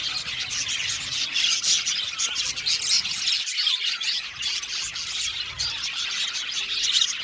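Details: Many budgerigars of an Australian budgie colony in an aviary, singing and chirping together as a steady wash of high warbled twitters and scratchy squawks, briefly dipping in loudness midway.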